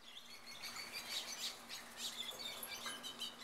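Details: Wild rosy-faced (peach-faced) lovebirds in a backyard in Mesa, Arizona give a steady stream of shrill, squeaky chirps and chattering notes, several birds overlapping, over a faint low hum.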